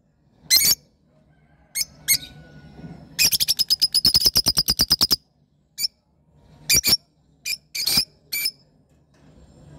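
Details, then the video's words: Lovebirds calling indoors: isolated shrill squawks, then a long rapid series of about twenty grating chips, followed by more sharp single and double squawks. "love birds sound"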